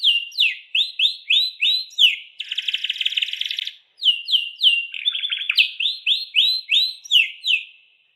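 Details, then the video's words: Canary singing to stimulate pet birds: clear downslurred whistles repeated in series, broken by a harsh buzzy rattle over a second long, then a lower trill and another run of repeated whistled notes. "burung kenari bakal ikut bunyi dengar suaranya"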